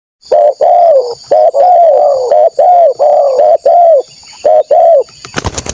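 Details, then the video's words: Spotted dove lure call meant to draw out wild doves seeking a rival: a brisk run of low, mellow coos in short and long notes, about one a second, over a steady high insect drone, ending in a sharp noise burst. "TEKUKUR GACOR SUARA MERDU_5 DETIK NYAUT PANCINGAN TEKUKUR NGALAS CARI LAWAN"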